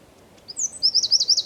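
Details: Recorded in Zamudio's San Miguel de Daño neighbourhood on 4 December 2019, a Eurasian wren opens with a few high thin notes that climb into a quick, loud, throbbing trill.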